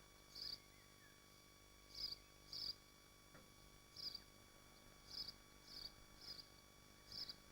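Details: At a swift nest in Machynlleth, Dyfi Biosphere: sharp high-pitched screams in irregular pairs and singles, about nine over seven seconds, set against a constant electrical-sounding hum.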